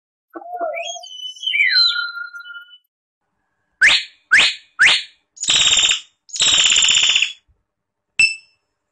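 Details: Common hill myna, Gracula religiosa, singing: a varied opening of wavering and slurred whistles, then three sharp descending notes and two long, harsh, buzzy screeches, ending with a brief clear whistle.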